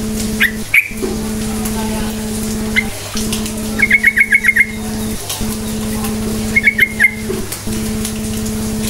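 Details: Yellow-vented bulbul singing a lively lure song to coax silent birds into answering: scattered single chirps, then a fast run of about seven clipped, even notes, later a shorter similar run, over a steady low engine-like hum.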